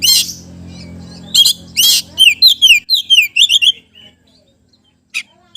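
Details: Oriental magpie-robin in lively, sustained song, meant to prompt reluctant magpie-robins to sing: an opening harsh burst, then a quick run of about ten clear, down-slurred whistled notes, a pause, and two more harsh rasps near the end.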